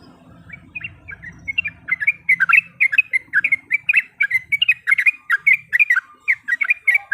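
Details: Female yellow-vented bulbul in breeding condition calling a male, used to provoke a rival; quick bubbly chirped notes, mostly in pairs and triplets, come in a steady run after a soft low rumble at the start.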